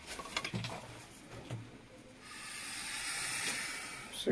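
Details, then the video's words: A wild goose, called very annoying, gives a long, breathy hiss lasting about two seconds, after a man's voice and a few low honking notes. "صوت وزة متوحشة او مزعجة - The sound of a wild or annoying goose"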